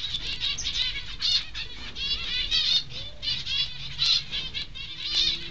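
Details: Zebra finch nestlings a few days older, one preening itself, give a dense, continuous stream of thin, high, buzzy begging chirps.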